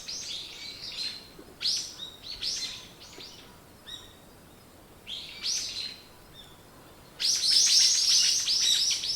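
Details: Birds singing in the morning, quick bursts of high chirps with pauses between, ending in a loud, dense flurry of rapid twittering.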